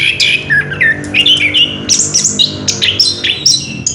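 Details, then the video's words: Orange-headed thrush singing ngerol indoors, giving a rapid mix of harsh squawky notes and clear sliding whistles that climb higher through the four seconds. "Burung Anis kembang ngerol edan luar biasa"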